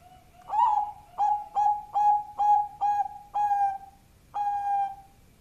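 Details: Lure call of a Bangkok-type zebra dove: eight strong, pure coos in a brisk series, the first swelling upward and the rest level and sustained, with a longer gap before the final drawn-out note, little other sound.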